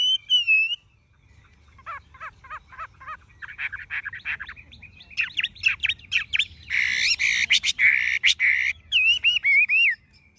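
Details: Tame Chinese hwamei, golden-yellow legs, bill and plumage, kept caged: a looping whistle, then rhythmic trilled notes speeding up, a loud harsh rattling burst, and a final twisting whistled phrase.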